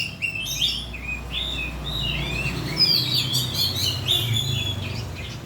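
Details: Oriental magpie-robin song used as a lure to get birds singing: a run of varied whistled phrases, some sliding up and down, with quick chattery notes in between, over a low steady hum.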